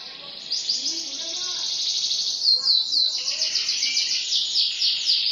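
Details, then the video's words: Canary in continuous song, delivering rapid high rolling trills that change tempo midway, with a few faint lower chirps from another bird in the background. "٣٠ دقيقة تغريد مستمر ورائع مهما كان نوع الكناري خاصتك سيبدء بالتغريد"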